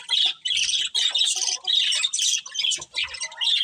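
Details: Budgerigars, a breeding pair kept in a colony, chirp in squawky warbled phrases about half a second long, separated by short gaps, some faint low sounds beneath.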